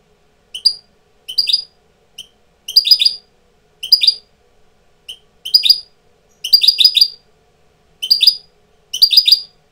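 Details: European goldfinch tutor bird coming into breeding condition; repeated short bursts of high liquid twitters, each a tight cluster of chirps, separated by brief silences.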